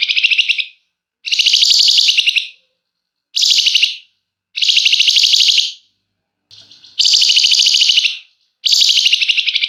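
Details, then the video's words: Flamboyan bird singing long and dense with emotional chattering, suited as a lure for other birds: seven loud, harsh, buzzing trills of about half a second to a second and a half each, spaced by short pauses. "Burung Flamboyan GACOR Ngebrenn RAPET PANJANG!! Nyecrett Emosi Cocok Buat Pancingan"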